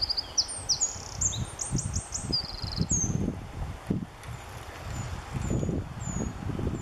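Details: Singing male Eurasian wren in the Oliwa forests. A fast burst of high, bright trills and chattering notes fills the first three seconds. Then a few faint high notes follow over steady low-pitched background rumble.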